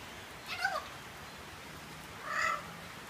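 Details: A pet Eclectus parrot, male, chattier in the rain, gives two short, nasal, meow-like calls about two seconds apart, over a steady hiss of rain.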